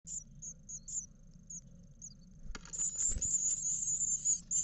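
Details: Nine eleven-day-old great tit nestlings in a naturally lit nest box in Israel, 23 March 2021, begging as parents feed them: sparse thin high squeaks, a knock, then a rising chorus of rapid piercing calls.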